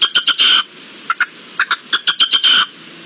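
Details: Free-living red-legged partridge calling in March 2022: quick bursts of harsh, clipped chuck notes and drawn-out rasping phrases repeated in a fast, stuttering rhythm, loud and close over faint hiss.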